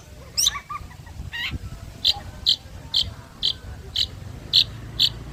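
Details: Long-tailed shrike basking in the midday sun: two harsh, scratchy notes, then a steady series of short, high, clipped chirps about every half second, with a low hum behind.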